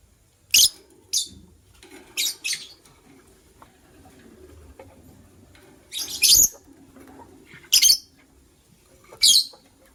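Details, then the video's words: White lovebirds, a pair in the morning, giving short harsh high chirps in scattered bursts, some doubled, separated by quiet gaps with faint low background rustling. "White LoveBird Chirping Sounds"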